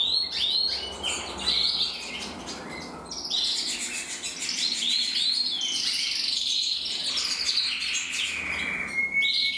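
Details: Pair of red-black male canaries, one intensive and one frosted, in joint song: rapid overlapping chirps, rattling rolls and sweeping whistled phrases, ending with a clear rising whistle.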